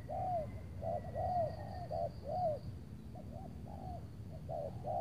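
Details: Spotted dove coos at a trapping spot near Tangerang, Indonesia, where a large loud wild bird is targeted with an experienced decoy under cloudy skies; low rounded notes in quick clusters, some slurred down, over low rumbling background and faint insect hum.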